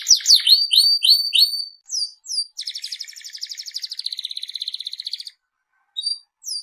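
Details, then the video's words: Seri FI canary singing vigorously: six loud descending chirps in a row, two short notes, then a long, steady, rapid buzzy trill lasting nearly three seconds, a pause, and a few final high notes. "BURUNG KENARI SERI FI GACOR"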